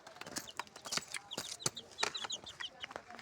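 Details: Colorful chicks peeping together in a busy jumble of short, high chirps overlapping rapidly, along with sharp clicks and knocks.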